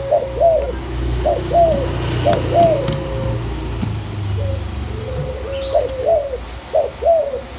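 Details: Young captive white backspot spotted dove from Semarang, Indonesia, aged six months, delivering its cetetan coo pattern known locally as kuk 1 nyandung 2: soft doubled hooting notes with a short stretched coo between phrases, against steady low humming background noise.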